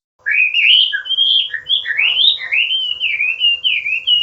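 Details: Chinese hwamei singing in a recording used to train cage birds: a continuous run of loud, clear whistled phrases, sliding up and down, each note swooping and rolling into the next, with a faint steady hum underneath.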